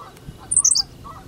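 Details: Short, high-pitched hiccup of a singing Henslow's sparrow in Goose Lake Prairie, a single clipped burst of a few sharp notes lasting well under half a second.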